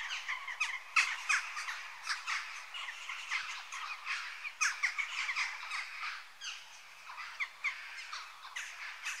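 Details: Western jackdaw (Coloeus monedula), call.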